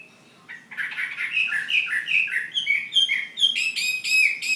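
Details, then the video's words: Chinese hwamei, a Ha Giang fighting bird in Vietnam, starting after a short quiet moment and building into a fast run of clear whistled notes that climb higher, ending with bright repeated trills. "Họa mi chiến Hà Giang"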